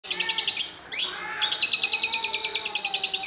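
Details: Long-tailed shrike (cendet) singing with mimicked lovebird, sparrow and grasshopper sounds: high rapid chattering notes, two sweeping shrieks, then a fast even series of repeated ticking notes.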